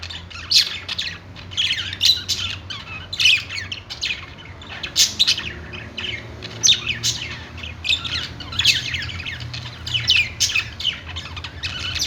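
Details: A group of budgies on a perch in a pet store chirps and warbles almost without pause, sharp high notes and chattering trills rising in repeated loud bursts.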